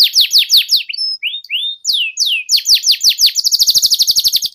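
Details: Canary song played to teach young canaries the ngeriwik sound: repeated downward slurs, rising whistled notes, then a very fast buzzy high trill at the end.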